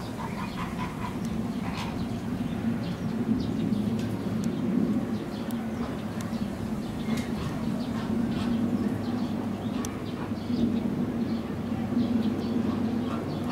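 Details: Black wood pigeon (Columba janthina) at Wanpark Kochi Animal Land, Kochi, Japan, on 24 March 2018 gives deep, drawn-out moaning coos in long low swells, with faint chirps of small birds and a steady background hum.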